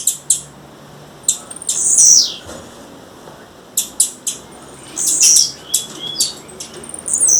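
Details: Female blue-black grassquit calling in the wild to attract a male. Crisp high ticks and snapping chirps come in loose clusters, broken by longer very high buzzy notes.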